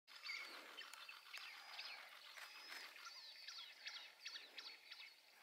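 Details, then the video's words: Male blood pheasant at Chele La Pass, Bhutan, 12 February 2020: high, thin squeaky chirps and short rising notes, overlapping in quick succession as if several birds call together, over a faint background hiss. "Blood Pheasant Male"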